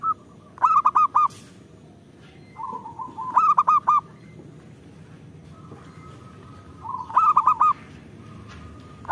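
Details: Zebra dove, a local bird, singing in three short bursts of fast, clipped cooing notes a few seconds apart. Softer, drawn-out coos are heard between the bursts.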